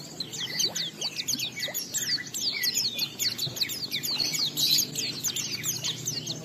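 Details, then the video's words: Oriental white-eye singing to provoke other birds to join in: a softer, fast run of high, scratchy twitters and thin downward whistles, continuous across the whole stretch over a low background hum. "Pleci Bahan Segera Ngalas Nembak dan Bongkar isian setelah diperdengarkan pleci gacor ini"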